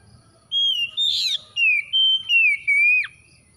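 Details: Oriental magpie-robin song: a run of five or six loud, clear, sustained whistles, mostly steady and gently falling in pitch, the last ending in a quick downward slur, over faint low background noise.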